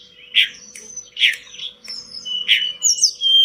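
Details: Pied bush chat (tledekan gunung) pouring out training song for caged birds: loud buzzy chirps roughly every second, alternating with clear level whistles and a rising slurred phrase at the close.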